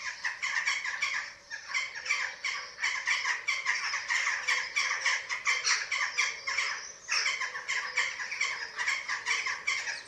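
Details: At a Eurasian eagle-owl nest in Germany, webcam recording from 27 March 2024 while chicks are fed: a continuous run of grating, screechy squawks several per second, briefly broken near the middle.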